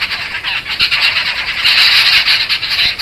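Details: Resident flock of jungle babblers near a lodge in Satpura giving distress calls on seeing the recordist during the first week; dense, overlapping harsh chattering, louder in the second half.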